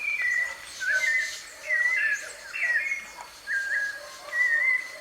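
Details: White-necked thrush song from a wild bird, recorded live: mellow whistled phrases with upslurs and downslurs, spaced about a second apart, faint hiss behind.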